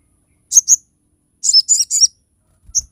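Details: Crested jay giving sharp, high song notes meant for training and luring other birds. A quick pair of piercing chirps, a pause, then three rapid buzzy-edged notes and a final short high note.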